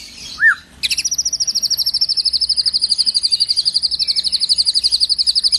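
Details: White-rumped shama imitating sparrows and tengkek: one short upslurred whistle, a pause, then a long, very fast, high, dry trill running steadily for over four seconds.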